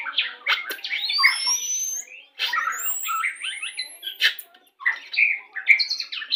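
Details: Pastol-type white-rumped shama song, a lure for pairing birds into breeding condition: long rising whistles cut by sharp clicks and chattering notes, with short pauses between bursts.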